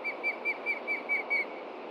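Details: Osprey alerting to a threat below its nest in Montana, late June morning: seven even, whistled chirps spaced about a fifth of a second apart over steady hiss.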